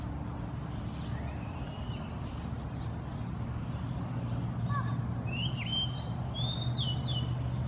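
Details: Indian peahen with her peachicks at the animal study station of Mahasarakham University Museum, Kham Riang, Kantharawichai, Maha Sarakham, Thailand, July 2016: thin, high whistled peeps with sliding, hooked notes, mostly in the second half, over a steady low rumble.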